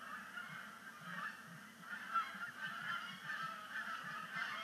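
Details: At sunset on Sapsucker Woods Pond, 5 October 2019, migrating Canada geese make their first splashdown of the season. Loud, overlapping honks ring out without pause, strongest near the middle, over a low rumbling backdrop.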